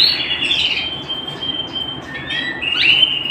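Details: Canary singing at home: opening bright notes give way to a long sustained high trill, followed by a pause and short rising chirped phrases near the end.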